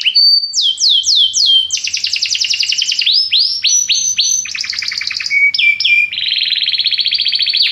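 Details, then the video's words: Popular Belgian canary song for putting a canary into breeding condition. Quick upsweeping whistles give way to dense, rapid trills, then changing phrases of rolled notes and clipped chirps, unbroken and loud. "a canção do canário belga que é popular, seu canário logo estará quente"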